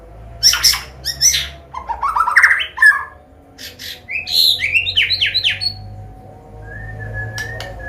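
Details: White-rumped shama from Medan with combination song, played to coach young birds into singing: loud harsh squawking bursts, then a rapid series of rising whistled notes and a long thin whistle, over a low indoor hum.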